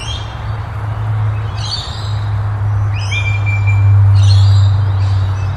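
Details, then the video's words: Pale-headed rosella calling in June: clear, high whistled notes, some sliding and one long and level, given every second or so over a loud, steady low rumble of wind or traffic. "Pale-headed Rosella - call"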